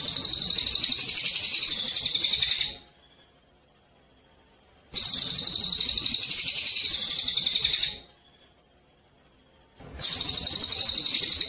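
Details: Cililin Eurasian tree sparrow in 'kapas tembak' style, recorded with pauses for training contest birds: long shrill buzzing trills of fast, regular pulses, nearly three seconds each, alternating with about two seconds of silence.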